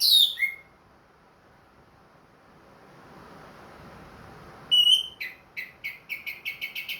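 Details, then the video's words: Caged, ring-marked orange-headed thrush singing actively again after finishing its moult: a couple of high whistled notes, a long quiet gap, then a rapid series of short repeated high notes at a steady pace. "MERANGSANG ANIS MERAH BUNYI PLONG"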